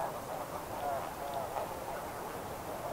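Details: Snow Goose flight calls recorded close up, with a flock calling at medium distance; a dense, continuous mass of overlapping nasal yelps and cackles runs throughout, with no single call standing clear of the chorus.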